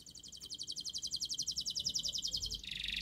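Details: Canary singing a master song meant to coax a silent canary into song: a long, fast trill of evenly repeated high notes, ending in a brighter buzzy phrase.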